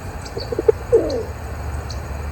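Rock Pigeon giving a few soft, low, throaty notes, then a short rolling coo that swells and fades, over a faint background hum.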